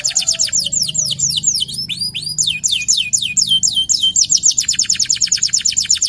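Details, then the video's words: Kenari lokal, a local canary, singing hard in a pancingan lure recording: fast high trills give way to looping rising and falling whistled sweeps, then a long rapid rattling trill at a quick, even pace. "PANCINGAN KENARI LOKAL GACOR"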